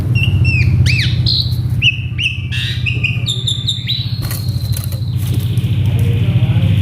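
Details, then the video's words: Agitated male Asian pied starling, kept caged, in a mimicry-rich song: sharp whistles, upslurred and arched notes, then a long even whistle. A steady loud low mechanical hum runs underneath throughout. "Si Jalu Emosi | Suren Ngamuk | Full Isian"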